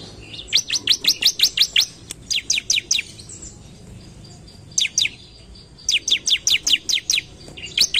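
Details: Sumatran leafbird (ciblek) singing energetically to provoke rival birds: rapid bursts of high, steeply sweeping chirps repeated in quick trains, with short pauses between phrases and faint low background hum.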